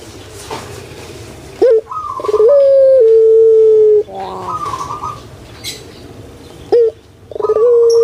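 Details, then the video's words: Puter pelung, a captive collared dove kept in Indonesia, opens with a short rising note and a rolling gurgle, then holds a long, steady, slightly falling coo of about two seconds, followed by a quieter rolled phrase. "PUTER PELUNG SUARA MERDU STABIL"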